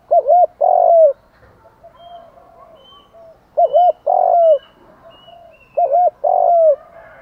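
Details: Spotted dove cooing used in the morning as a lure to provoke rival birds; three loud phrases about two seconds apart, each a quick double coo followed by a longer drawn-out coo, in a quiet setting.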